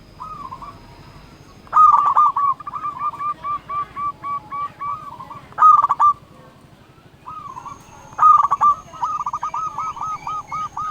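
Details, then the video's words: Local zebra dove singing to call rivals, a strong performer: long rolling strings of soft cooing notes at steady pitch, each phrase opening with a quick stutter of clicks, with pauses of a second or two between bursts. "Perkutut lokal gacor Ahlinya memanggil lawan bikin burung perkutut gacor nyaut"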